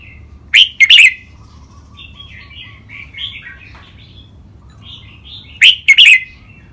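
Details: Red-whiskered bulbuls in cages, two birds set against each other in Thai song styles such as lak wai and nap dok. Two loud, clear whistled phrases bracket a long stretch of soft, varied twittering.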